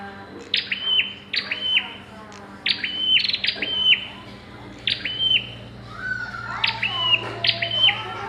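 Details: Pairing bar-winged prinias calling with crisp squared-off chirps, often paired, repeated irregularly through the stretch, some softer overlapping notes, and a steady low hum underneath.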